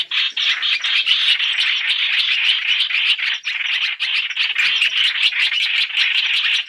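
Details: Black-throated laughingthrush, three-in-one lure recording used for trapping: a dense, continuous harsh chattering with fast buzzy pulses, strongest high up, running unbroken through the whole stretch.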